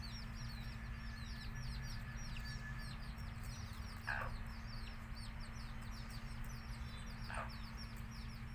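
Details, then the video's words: Many baby country chicks peep in rapid, overlapping downward chirps; two short, lower hen calls stand out at about four and seven seconds, all over a low mechanical hum. "Cute Baby Chicks Chirping Sounds"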